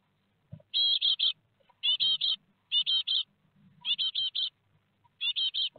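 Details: Four great tit fledglings leaving their nest at Théding on 17 July 2020, picked up by a nest webcam: raspy, hissing calls in tight bunches of three or four, repeated roughly every second, with faint low knocks underneath.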